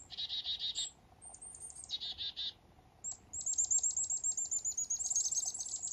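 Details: Black-capped chickadees in morning fog up north: two short bursts of buzzy notes, then a rapid series of thin, very high chips running steadily for about three seconds.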